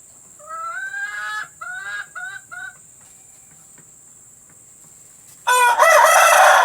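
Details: Hen sounds played to encourage hens to lay eggs. Four drawn-out, nasal, falling clucking calls come in the first three seconds. A quiet pause follows, then a loud, harsh cackling outburst at the end.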